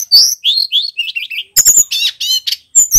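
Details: Male bar-winged prinia in vigorous full-volume song: slurred whistled notes sliding downward, then harsh buzzy chattering bursts and sharp high chips, loud and clean with no other sounds.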